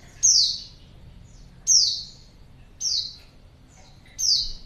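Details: A female white-eye used as a lure to make males respond: four high, bright, descending notes about one to one and a half seconds apart, with faint quieter notes between them.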